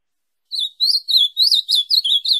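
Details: Ultramarine grosbeak song for training a pet bird: a steady string of about eight bright slurred whistles, each a short down-curving note, evenly spaced and strong, with no background sounds.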